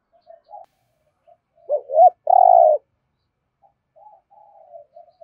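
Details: Spotted dove cooing in the thúc gù manner with a resonant thổ rền voice: faint soft notes lead into two quick looping coos and a loud sustained rolling purr, followed by quiet murmuring coos. Quiet background.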